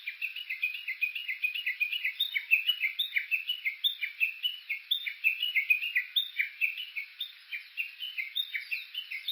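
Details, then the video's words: Walking recording from Suo-Oshima, Japan, at Uguisu Road near Mount Yakushi, Kuga, made with an OLYMPUS Voice-Trek V-82: a Japanese bush warbler gives a long, steady stream of quick, scratchy chirping notes for over nine seconds, unbroken and evenly loud. "Cya's original sound ウグイス"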